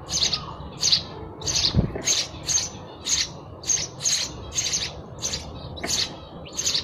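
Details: Steady run of sharp sparrow chirps, about a dozen, each a short scratchy note, spaced a little over half a second apart over a soft rumbling background.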